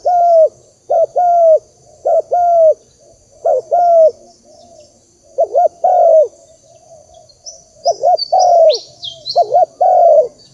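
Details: Spotted dove coos from a lure recording meant to rouse decoy birds for trapping: soft hollow notes grouped as a short doubled coo then a longer sliding croo, repeated steadily, with thin high twitters of other birds near the end.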